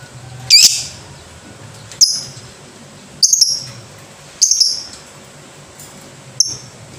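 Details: Scattered lovebird calls: five isolated, sharp, shrill chirps spaced one to two seconds apart, each starting with a harsh rasp, over quiet low background noise.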